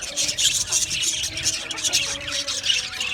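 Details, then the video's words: Busy chorus of Australian budgerigars in an aviary, overlapping high chirps, squeaks and warbles in a continuous dense stream, faint hum below. "Budgie birds chirping sounds"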